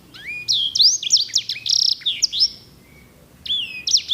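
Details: Singer canary of the edel/herda sanger type, a song type noted for rich, beautiful rolls, singing bright whistled phrases: rising slurs, sharp downward sweeps and a short rapid roll, a pause, then a new burst of high notes.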